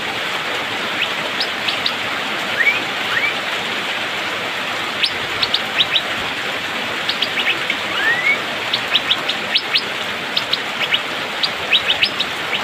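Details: Asian fairy-bluebird in rainy-season song, delivered fast and dense: rapid clusters of short high ticks and chirps interspersed with a few upward-slurred whistles, bursts growing busier toward the end, against continuous rain hiss.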